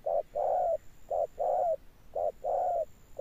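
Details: Loud, close spotted dove cooing in 'âm sấm' thunder style: three clear pairs of a short coo and a longer slightly falling coo, evenly spaced, over a faint high steady tone.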